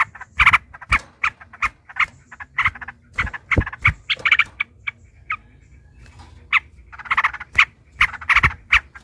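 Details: Yellow-vented bulbul (trucukan) in a fighting exchange, long rolling 'ropel' song used as a lure to provoke other bulbuls to sing: bursts of bubbly, chattering notes in quick clusters with short gaps, some low thumps underneath.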